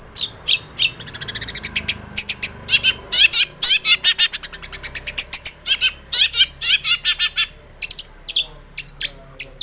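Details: Long-tailed shrike in varied full song, used as a lure so other shrikes sing. It consists of long, fast series of sharp clicking and chattering notes, in bursts repeated about twice a second, with some high thin notes near the end.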